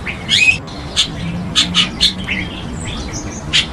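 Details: Chestnut-tailed starling, introduced in Taiwan: a rising squeaky note followed by scattered sharp chirps and thin whistles, with a low steady hum behind.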